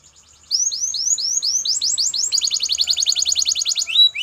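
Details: Belgian canary singing in a training recording: a steady stream of bright, falling, whistled notes speeds into a dense, rolling trill.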